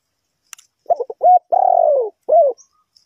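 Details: Ninh Thuận spotted dove used in bird trapping as a lure, one full cooing phrase. Brief choppy notes and a steady coo lead into a long falling croo, ending with a short rounded coo. A faint click precedes it.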